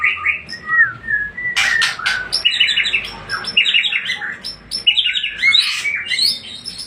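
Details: Aceh Tangse white-rumped shama pouring out fluid whistles that give way to dense, scratchy, high-pitched bursts and fast chattering trills, the phrases changing every second or so over a soft background hum.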